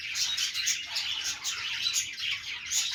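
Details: Budgies at play, a dense, unbroken chatter of high chirps and short whistled notes from several birds at once, with brief bright tweets standing out every second or so.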